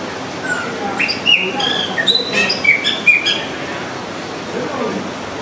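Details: Austral blackbird song: a short burst of clear whistled notes and bright chirps, some rising and some falling, clustered in the middle seconds, then quieter, over faint steady background hiss.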